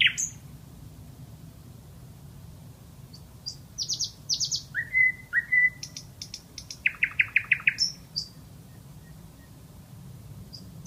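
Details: Common nightingale singing in varied, separated phrases: high thin whistles, short buzzy notes, slurred whistles near the middle, then a rapid burst of repeated staccato notes, with soft low rumble throughout.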